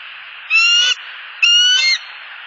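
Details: Bald eagle pair perched at their nest in Southwest Florida on October 30, 2015, calling at an unwanted eagle overhead after the male delivered a fish: two drawn-out, high, ringing notes with strong overtones, about a second apart, over steady background hiss.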